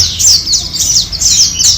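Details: Four captive white-eyes being housed together on a morning, giving rapid, high, thin chirps and twitters in quick overlapping bursts, several birds calling together.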